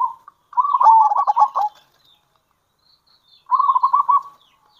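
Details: Local zebra dove giving its kerot and bekur call, used to lure other zebra doves. A loud burst of rapid, throaty trilled coos lasts about a second, followed after a pause by a shorter, smoother rolling phrase.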